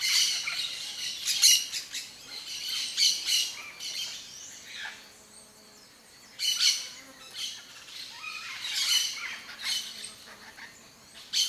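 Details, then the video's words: Wild yellow-faced parrot (Alipiopsitta xanthops), papagaio-galego, free in natural Cerrado habitat of Brazil: harsh, broadband squawks in bursts of two to four, repeated every couple of seconds, with short quiet gaps between groups. "YELLOW-FACED PARROT sounds (ALIPIOPSITTA XANTHOPS), PAPAGAIO-GALEGO"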